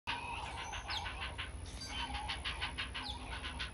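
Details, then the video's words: A great blue heron chick begs its mother for food with a fast, harsh clacking series of about four or five notes per second, over a steady high whine and low rumble; the chick lunges at her neck or bill. "Great blue heron chick crying for lunch"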